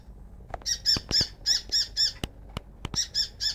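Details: Baby oriental magpie-robin at a house, calling its mother to be fed: harsh, nasal squawks repeated about four times a second in short bursts, mixed with sharp clicks and knocks.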